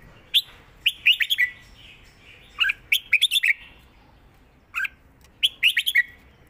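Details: Bubbly whistled flourishes from a Red-whiskered bulbul singing 'rik' in the southern 'mae bot' style. Repeated phrases of four to five quick liquid notes, separated by brief pauses, some phrases ending on a lower slurred note.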